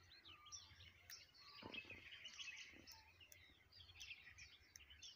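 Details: Birds singing together in the morning outdoors. A dense mix of chirps, warbles and short whistled phrases overlaps continuously at moderate distance. Soft low background noise and a few faint clicks run underneath.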